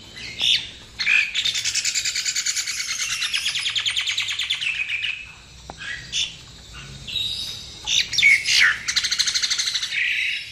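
A Nias hill myna sings loud, varied whistles and long, fast buzzy rattles, broken by sharp high notes. No other sounds stand out.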